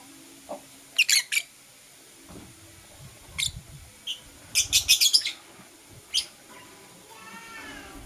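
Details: Blue opaline lovebird in the morning giving scratchy high chirps in short bursts, a fast rattling series of notes near the middle, then a softer, faint rising trill at the end.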